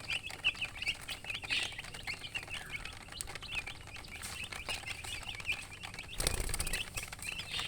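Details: Baby chicks chirping in a steady flock chorus of high, quick peeps, ending with a loud burst of rustling or handling noise.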